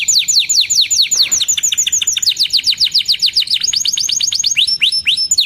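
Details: Long-singing canary used to tutor young birds: continuous trills of sharply falling chirps at varying speeds, with a few clear whistled notes mixed in toward the end.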